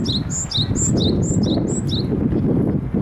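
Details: Japanese tit singing on 30 April 2018 during cherry-blossom viewing: high, sharp two-note phrases repeated about twice a second over a steady low rumble of wind or handling noise.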